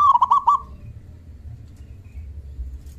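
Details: Local zebra dove, loud-voiced with a big 'kung', calling to get other doves to answer. A rapid phrase of four or five bubbling coo notes opens, followed by quiet low background hum.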